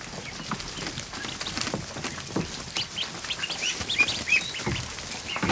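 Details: A crowd of newly hatched ducklings in a barn kiddie pool; faint scattered peeps under loud splashing and paddling water, a couple of clearer high chirps near the end.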